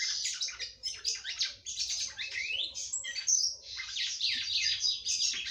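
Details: Singing female red-cowled cardinal stimulating her male: a continuous, lively flow of high twittering, buzzy slurs and rising whistled notes.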